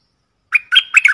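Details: Decoy bulbul call: a brisk, liquid burst of four warbled notes, the last two run together, over a faint, sustained whistle. Nothing else is heard.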